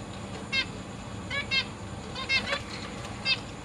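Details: Captive zebra finch family, August 2023: parents feeding three juveniles and three new chicks. Short nasal harmonic calls, some in quick pairs, repeated roughly once a second with a soft rustle between.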